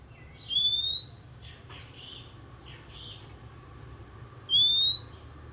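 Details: Oriental magpie-robin singing in the morning, a song said to stimulate other magpie-robins to sing: two long, clear, slightly rising whistles about four seconds apart, with soft faint notes between them over a low background hum.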